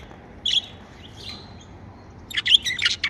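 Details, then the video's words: Captive budgerigars chirp happily, a brief high chirp early, soft warbling in the middle, then a dense burst of rapid squeaky chatter in the last second. "Happy Budgie Sounds | Chirping sounds"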